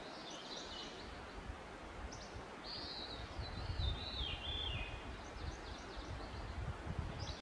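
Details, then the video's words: A faint, airy Veery song phrase spirals downward at a high, breathy pitch, with soft chirps around it over steady wind and rustling leaves. "Veery Singing"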